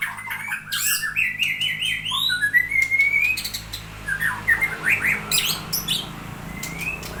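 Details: Aceh long-tailed white-rumped shama performing its song style with fancy fill-in: chirps and clear rising whistled phrases, a long upward slurred whistle, then bursts of quick twittering notes over a faint low hum.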